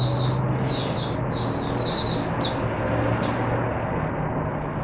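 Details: Caged oriental white-eye (mata puteh) singing as a teacher bird for other white-eyes, recorded 22 January 2022: several short, high, slurred chirping phrases in the first seconds, then only a steady low hum.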